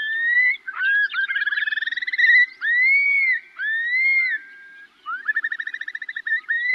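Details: Long-billed Curlews trade contact calls back and forth, clear rising whistles and rapid rolling trills, several times over a few seconds.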